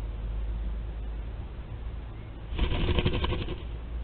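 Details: Barn owl family at a nest webcam in Théding, France, recorded 4 July 2022: after low rumbling quiet, a sustained rough hissing screech begins about two and a half seconds in and lasts to the end.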